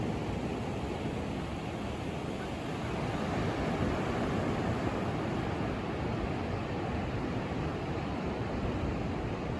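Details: Steady roar of breaking surf at sunrise on Daytona Beach, a broad rushing wash that swells slightly midway, with no gull or other animal calls standing out.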